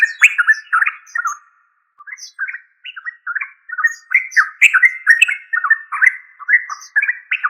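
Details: Yellow-vented bulbul, or trucuk, in a long chattering bout: loud slurred notes at first, a short lull with softer notes, then a steady run of bubbly warbles with scattered high squeaks.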